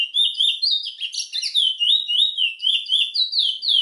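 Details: Continuous rapid song of a Trinidad bullfinch: clear, liquid whistled notes slurring up and down, packed about four per second, with a brief denser jumble near the middle.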